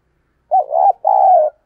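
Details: Decoy spotted dove calling to draw in wild doves: two mellow, slightly wavering coos, the second longer and gently falling, against silence.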